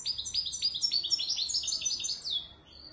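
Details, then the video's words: Moroccan goldfinch of the authentic Wedani Marrakchi type delivering a quick rattling series of clipped, metallic notes that run together, then closing with a thin, fading buzz. "تغريد_الحسون_الويداني_المراكشي الأصيل"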